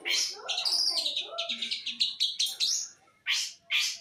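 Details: Long-tailed shrike of the East Java type, singing a busy, scratchy high medley of chattering and whistled notes, then a run of rapid repeated chips and two sharp harsh bursts.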